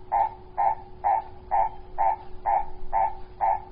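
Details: In a garden in February 2018, a purple-crested turaco utters eight evenly spaced, resonant croaks about every half second, each note full and mid-pitched, with a faint steady hum in the background.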